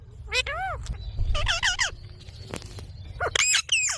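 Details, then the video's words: Baby rose-ringed parakeet calling. Harsh, nasal, arching squawks in short bursts of two to four notes, separated by pauses, with low rumbling background noise and faint clicks. "Ringnek baby parrot"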